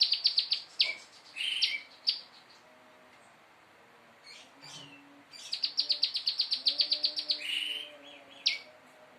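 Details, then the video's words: Prinia learning to sing in fast bursts: opening quick chirps and buzzy notes, a quieter gap, then a long rapid run of high ticking notes and a few lone downslurred calls. "Prenjak lumut belajar nembak istimewa"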